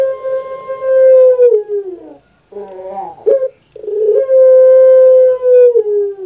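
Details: A household puter pelung dove gives two long, sustained, tonal coos, each falling away at the end, separated by a brief gurgling, broken note.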